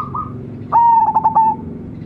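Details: Zebra dove of local stock, bred from a champion decoy bird, noted for its brilliant voice. A faint rolling note, then a single bright, level coo broken into four quick pulses and ending in a short trail.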